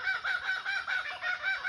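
Kookaburra giving a raucous, rapid run of harsh, chuckling notes, about five per second, over a steady hiss of background noise.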